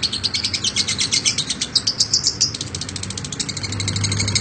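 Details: Cerewet lovebird, a national champion, producing extended ngekek chatter: quick, high-pitched, rasping chirps strung together, fading slightly toward the close over a faint hum.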